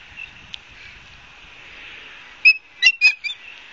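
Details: Ospreys at a nest in Barnegat Light, New Jersey, on a live camera, 12 September 2022 in the afternoon; after a quiet stretch, four loud, sharp whistled chirps come in quick succession.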